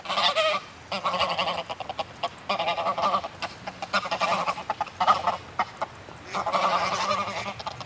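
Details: Close greylag geese flock calling excitably, nasal honks in dense bursts separated by quieter gaps, with sharp wing-flap clatter scattered between the honking.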